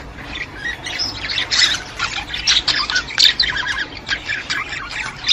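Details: Budgerigars singing to stimulate other budgies: dense, overlapping chirps and scratchy warbles, with louder bursts around the middle and a steady faint background hiss.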